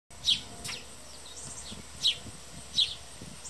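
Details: Hungry house sparrows feeding and fighting at a backyard bird feeder give short, bright chirps, about five in three seconds at an uneven pace, over a steady low background hiss.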